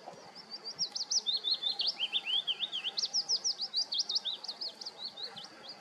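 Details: Willow warbler singing in a nature reserve: two sweet, liquid phrases of rapid whistled notes, each slipping gradually downward in pitch, the second starting high again; clear and close, with quiet background.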